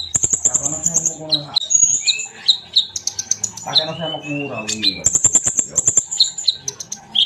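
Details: Sunbird as a training bird: bright, high trilled bursts and sharp chips mixed with short downslurred whistles. A man speaks loudly twice over the bird song.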